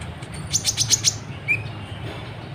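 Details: Sunbird, a kolibri ninja, singing to provoke other birds into song: a quick run of five very high, thin chirps, then a single lower, rising whistled note over a low background hum.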